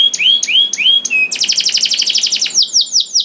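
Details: Canary song meant to trigger other canaries to sing: three slow swooping whistles, then a rapid pulsing buzzy trill, ending with lower descending notes.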